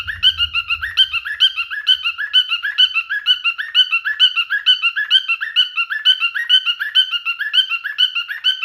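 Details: Courting male cockatiel singing: steady train of short harmonic chirps, roughly two each second, with a brief low rumble at the very start.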